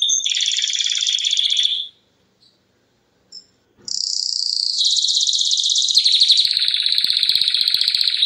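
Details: Domestic canary song: a loud rapid trill for two seconds, a pause of near silence with faint clicks, then a rising, rolling buzzy trill that runs on to the end.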